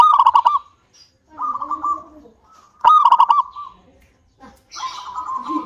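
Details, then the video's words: A lively local zebra dove sings to encourage other doves. Loud bursts of rapid, trilled cooing alternate with softer wavering coos. A burst of hissy, higher chirping from another bird comes near the end. "PANCINGAN PERKUTUT LOKAL SUPER GACOR UNTUK PANCINGAN PERKUTUT AGAR CEPAT BUNYI"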